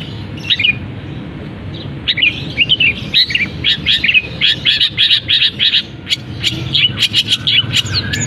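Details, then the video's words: Long-tailed shrike in captivity, singing at once after its cage cover is lifted, with imitations of canary, sparrow and kapas tembak. After a quiet opening, dense runs of sharp, high chirps and squeaky notes pour out without a break. "Cendet Gacor Isian Kenari, gereja tarung, kapas tembak"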